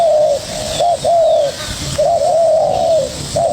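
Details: Spotted dove, young bird answering a decoy combatively: loud, mellow, arched coos, one long drawn-out note, short clipped ones, then a wavering run of linked notes, with steady low hiss behind.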